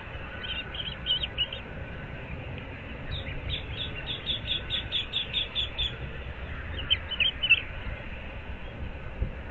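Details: Osprey at a nest shared by a breeding pair at Moorings Park, Naples, Florida, at 06:37 on 15 April 2024: clipped, whistled chirps in quick runs, with a pause between bursts, over steady low background hum.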